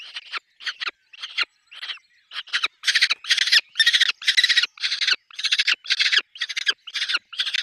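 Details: Peregrine falcon nest with chicks: a rapid series of loud, harsh, rasping squawks, roughly two per second, rising in intensity partway through.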